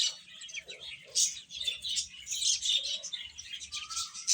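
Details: A group of baby chicks feeding, filling the air with rapid overlapping high chirps, plus a couple of soft lower notes and one rising whistle near the end.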